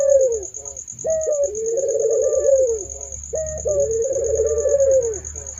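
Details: Barbary dove calling, each phrase opening with a clipped note then sliding into a drawn-out, trembling low coo; two full phrases over a constant thin electronic whine and faint low rumble.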